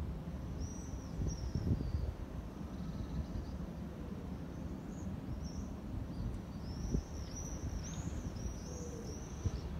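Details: Common swifts flying up to adapted scaffold holes on a building, where about 10 of 108 are now permanently occupied, give thin, very high screams in short bursts, mostly in the second half, over a steady low rumble of wind or traffic.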